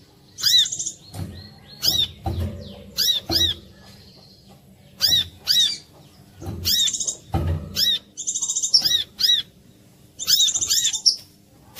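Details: Brown-throated sunbird lure song, played so other korlap join in; clusters of shrill arched chirps and occasional rattling high trills, with repeated dull low thumps in the background.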